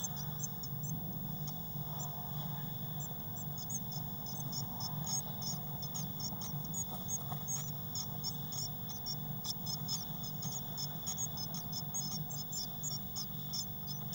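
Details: Six young Eurasian blue tits packed into a nest box, 22 May 2019. Rapid, shrill cheeping runs throughout, thinner at first and denser later, over a steady low hum.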